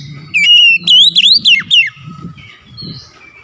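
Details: Oriental magpie-robin song meant to stir quick replies: one short, loud phrase of clear whistles that slide up and then sharply down, over a low rumbling background, then a thin high warble.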